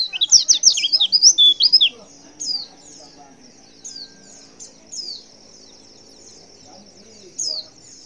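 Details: Female white-eye calling to provoke a response from males: a short two-second flurry of shrill, squeaky chirps, followed by sparse single high notes separated by long pauses.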